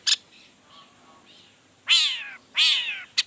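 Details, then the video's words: Long-tailed shrike giving its provoking repertoire to stir other shrikes: two loud, rasping, descending screeches each about half a second long, bracketed by short sharp clicks, with faint softer notes before. "Toetan Cendet Gacor Full Emosi Bongkar Materi Bikin Cendet Lain Langsung Panas Nyaut Ikutan Bunyi"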